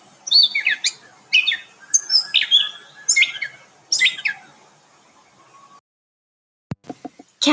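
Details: Gray Catbird song, jumbled melodious, nasal and squeaky notes, a bird that sings all day; rapid bursts of squeaky, slurred phrases in quick succession for about five seconds, then near silence and a few sharp clicks at the end.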